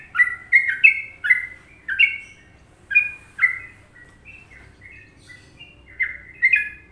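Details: Sooty-headed bulbul, Indonesia, giving masteran Trucukan song: a fast burst of liquid downslurred notes, then sparser, quieter chirps with gaps, ending in another quick burst; a light hum continues underneath.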